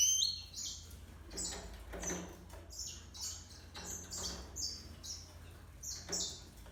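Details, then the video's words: Yellow-fronted canary x canary hybrid giving a lively song of high, clear notes that step downward in bursts, repeating about every half to one second over a constant low electrical hum. "Serinus mozambicus x Canary هجين ياسمين موزمبيق"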